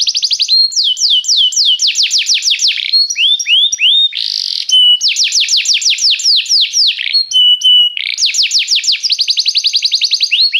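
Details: Restless canary in sustained song, alternating fast rattling trills with sweeping whistled notes and short held tones, phrases tumbling one after another.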